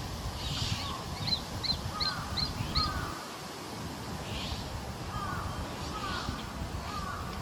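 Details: Juvenile Japanese sparrowhawk calling on 2 July 2022, filmed with a Canon EOS R7 and 100-500mm lens: a series of thin, squeaky, short slurred notes repeated in loose bursts, over steady background rumble.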